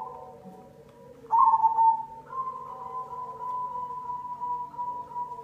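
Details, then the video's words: Zebra dove (perkutut cemani) lure song: a loud trilled coo phrase after a second, then a long steady mid-pitched tone with softer lower notes beneath and a faint low hum throughout. "Pancingan perkutut cemani"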